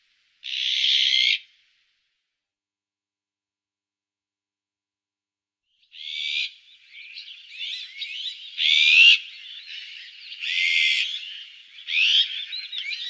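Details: An azure-winged magpie opens with one harsh rasp, then after a silence gives a varied chatter of squeaky notes mixed with short buzzy rasps.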